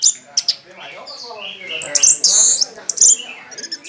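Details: Loud Orange-headed thrush song, tail fanned, the contest-winning style meant to make other birds answer: dense bursts of very high piercing notes and sweeping whistles, with short trills and quick chirps packed closely together.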